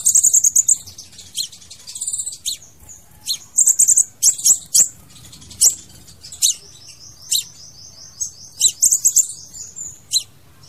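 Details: Crimson sunbird song, a recording used to lure or trap birds: very high, thin chips and sharp trills in quick bursts, with fast buzzy twittering runs between them; quiet background.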